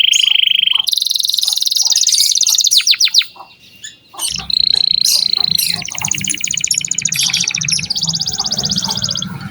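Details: Canary performing as a song lure for young canaries: buzzy rolls at shifting pitches and a few quick sweeps, with a low background rumble in the later part.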